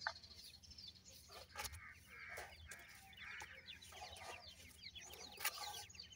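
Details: A group of francolin chicks, known locally as irani teetar, peeping softly: many brief high chirps overlap continuously, punctuated by scattered clicks, over faint low rumble.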